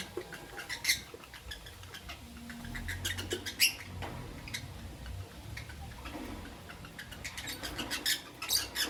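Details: Morning chirping from Albino and Euwing Green Opaline lovebirds: frequent short, piercing chirps scattered throughout, grouped more densely toward the end, with soft low rumbling underneath.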